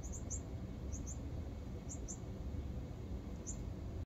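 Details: High, thin begging chips from a northern cardinal fledgling fed by its father, given in sparse pairs separated by short pauses, with a low continuous rumble underneath.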